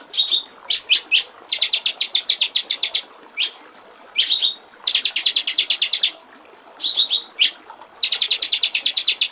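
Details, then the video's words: White-rumped shama master song for training songbirds, clear-voiced: bursts of rapid, high, ticking repeated notes lasting about one to one and a half seconds, separated by short pauses, with a few single upslurred whistles between bursts. "masteran murai batu/ suara jernih gericik air"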